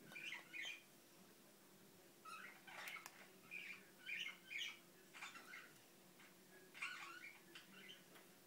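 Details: Faint mumbling from a pet Indian ringneck parakeet: scattered, soft chattery phrases with a steady hum in the background.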